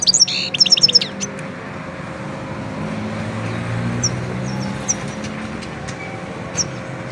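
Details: A Himalayan goldfinch singing: a rapid burst of high, tinkling twitters in the first second, then scattered thin chirps over a steady low hum of traffic.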